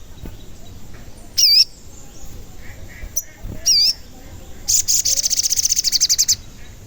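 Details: Sogon lure song for rousing other sogon: two loud, wavering high whistles a couple of seconds apart, a single tick, then a fast, even run of very high chips lasting nearly two seconds.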